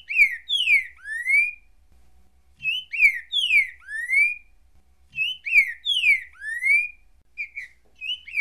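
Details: A green-winged saltator, recorded clean and free of noise, repeats a rich, whistled phrase of slurred falling and rising notes about every two and a half seconds, clear and unaccompanied.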